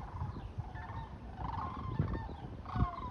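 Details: Sandhill cranes heading south for winter, filmed 19 January 2024: loud, rolling, trumpeting rattles about every second, over low rumbling wind noise.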